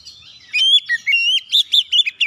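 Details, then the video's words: Oriental magpie-robin song used to provoke other birds into singing: a long level whistle, then a quick series of rich, bending whistled notes, several swooping up and down in turn. "KICAUAN KACER PEMICU EMOSI"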